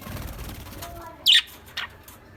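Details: Lovebirds chirping: two short, sharp, high chirps about half a second apart, the first louder, over a soft rustling background.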